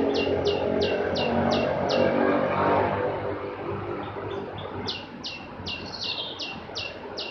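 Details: Opior jawa, the Javan grey-throated white-eye, singing rows of bright, high, clipped notes at roughly three per second, pausing midway and then resuming. A loud, rumbling vehicle noise runs underneath and fades slowly.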